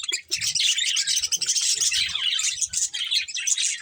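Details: A group of colourful budgerigars chirping during feeding, an unbroken stream of bright, scratchy warbles and quick chirps from overlapping birds, with faint low tapping.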